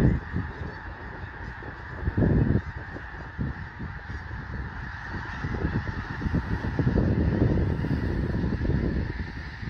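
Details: Nightfall on Fir Island near Mount Vernon, Washington, where a big flock of snow geese tries to settle: a continuous wall of overlapping honks that swells louder toward the end, with low wind buffeting around two seconds.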